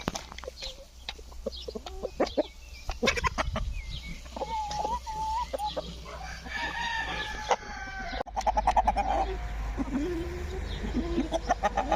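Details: Rooster described as a talking rooster: drawn-out, flat crowing phrases rise out of a busy background of short, rapid clucks from other chickens, with steady low hum throughout.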